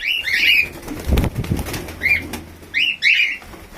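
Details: Albino red-eye cockatiel calling in bursts of rough, rising-then-falling chirps, two early, one midway and a close pair near the end, with soft rustling and thumping between calls.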